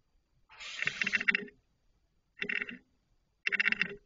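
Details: Barn owls giving three harsh, hissing screeches, the first about a second long and the next two shorter, spaced roughly a second apart, otherwise quiet; recorded 19 July 2023 at 04:38.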